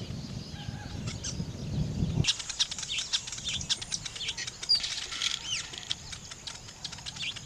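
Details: Weaver birds building nests: after two seconds of low rumbling background, a dense burst of high, rapid chirps and buzzy chatter sets in with fluttering wingbeats throughout.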